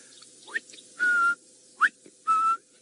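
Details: A Greater Honeyguide heard in the background gives its territorial 'vic-tor' call twice: a quick rising whistle, then a longer, level whistled note, over faint background hiss.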